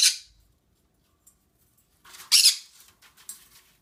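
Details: Indoor pet green-cheeked conure making noises: a rasping squawk that fades out, quiet for nearly two seconds, then soft scratchy chatter building to a loud double screech and a final weaker squawk.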